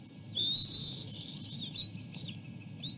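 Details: Bald eagle eaglets at the nest, crowding their mother as she arrives with food. One clear, high, drawn-out whistle, then fainter wavering whistles trail off, with a low rumble underneath.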